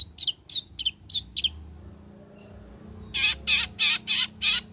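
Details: Long-tailed shrike in full song after moulting, played to prompt other shrikes to sing: five quick sharp chirps, a brief pause, then five loud, rasping, broad harsh notes in steady succession.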